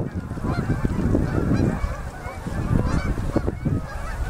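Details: Fall-migrating Canada geese in huge flocks fly in to land on a river at sunset in Manitoba, Canada, in October 2018. Overlapping honks blend into a continuous clamour over a heavy low rumble of wind.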